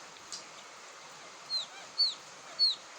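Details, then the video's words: Three high, falling peeps from a quail chick, a sound used as a lure, spaced about half a second apart, following a faint click, with background hiss. "suara anak puyuh cocok buat pikat"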